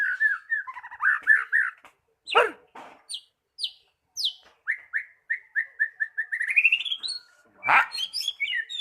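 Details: Magpie-robin song used as a lure to get a bird that has stopped singing to sing freely: varied whistled phrases near one pitch, fast trills, sharp rising and falling notes and several harsh rasping bursts, with gaps of silence.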